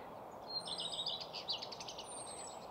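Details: Common redstart singing at Nysved, Norra Järvafältet, on a single Sennheiser microphone with Zoom F6 recorder: a clear phrase of a few short notes running into a rapid, rattling twitter, with thin high whistles of other birds around it.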